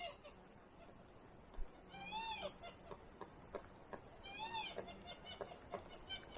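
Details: Magellanic woodpecker heard during a hike in Huerquehue National Park, Chile: two nasal, wavering, bleating calls about two and a half seconds apart, likened to a goat in labor, over faint ticking and a hushed forest background.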